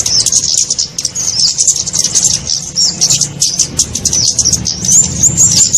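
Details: Lure call for catching kemade and other small birds: a busy stream of very high, thin tweets and brief whistled slurs, closely packed and unbroken, over a faint low rumble.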